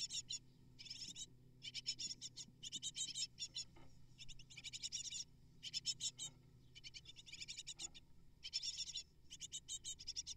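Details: Hungry great tit nestlings, eight in a nest, begging as both parents bring prey: repeated bursts of fast, high, scratchy chittering, each under a second, with brief gaps and a low hum.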